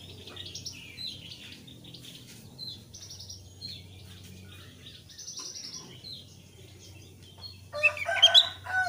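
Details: Thick-billed white-eye with a lively, full 'gacor ngeplong' song, used as a lure to get newly kept white-eyes singing. Soft, rapid high twittering runs throughout, ending in a louder burst of jumbled chirps.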